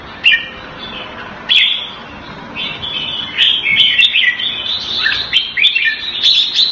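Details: Red-whiskered bulbul, caged in Singapore under Thai-style keeping, opening with two isolated chirps, then building into a run of cheerful slurred whistles and warbles.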